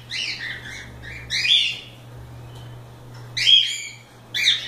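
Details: Several cockatiels let loose and playing call in harmonic, slightly rasping chirps: a run of short notes, then a longer slurred call, a pause, and two more bursts, with a faint steady hum underneath.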